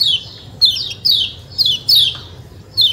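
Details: Kecial kuning white-eye calls in the 'ciak ciak' manner: loud, high, falling chirps given singly or in quick pairs about every half second, separated by short gaps, with faint low background hum.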